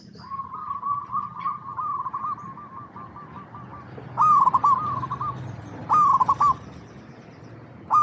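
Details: Zebra dove of local stock in active song: a long run of soft, evenly wavering coos, then loud stuttering coo bursts repeated every couple of seconds, over low background hum.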